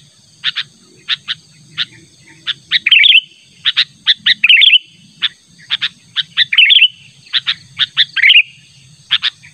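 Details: Sooty-headed bulbul, natural voice used to call a rival: a run of sharp clipped chips about two per second, broken by short bubbly rising phrases, with a steady thin electronic hum behind.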